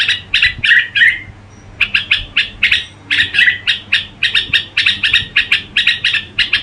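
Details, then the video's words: Red-whiskered bulbul singing gù style, opening with a few slurred phrases, falling silent for nearly a second, then bursting into a long run of fast, clipped chirps. "Tiếng Chim Chào Mào Gù Quá Hay"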